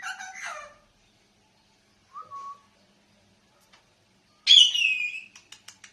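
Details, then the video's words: Parrot giving two bursts of harsh, high, harmonic squawks about four seconds apart, with a short thin whistle between them and a few quick clicking chirps at the end. "টিয়া পাখির ডাক"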